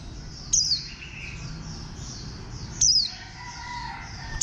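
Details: Green warbling white-eye with a compact, bantam-like build, uttering brief high-pitched descending chirps about three seconds apart, the last clipped at the end, with faint rustling and low hiss behind.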